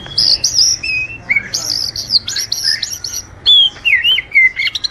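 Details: Oriental magpie-robin song meant for training and luring: high, thin whistles repeated in quick bursts, then lower falling slurs and a wavering descending phrase.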